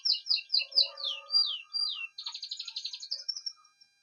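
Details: Male canary sings steadily beside its mate, who sits on four eggs; a string of six clear descending whistled notes, two drawn-out downslurs, then a fast buzzy trill ending in a short high note.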